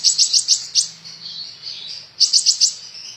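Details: High sunbird song from a kolibri ninja, used as training audio: about five quick piercing chips, a soft wavering whistle, then another fast set of bright chips.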